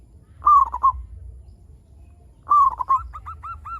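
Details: Frequently singing local zebra dove, its song used to coax other zebra doves to call: two loud bursts of quick, stuttering rolled notes about two seconds apart, the second trailing into soft repeated arched coos, with low background hum.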